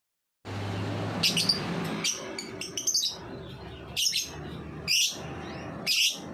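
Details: Lovebird ngetik song, a ticking chatter used as a lure to stimulate young lovebirds to sing: sharp, high chirps in short clusters, repeated about once a second after a brief low hum at the start.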